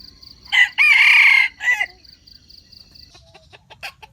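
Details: Lure crow of a wild junglefowl for catching wild chickens. One loud crow with a short start, long rough central stretch and quick falling finish, then scattered faint clicks and ticks.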